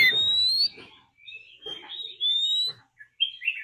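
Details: Fighting song of a decoy Oriental magpie-robin, with a wild female bird's call, played to provoke birds. Long sliding whistles alternate with short harsh notes and brief silences.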